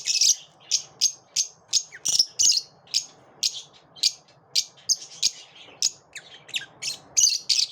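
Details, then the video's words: Lovebirds calling after dawn, giving piercing high chirps repeated steadily about twice a second, some paired or doubled, over faint low background noise. "Love birds after dawn"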